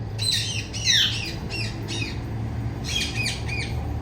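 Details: Loud chirping from a female Indian ringneck parakeet, rapid raspy squawks in two quick clusters, rough downward-sweeping notes repeated about every third of a second, low hum underneath.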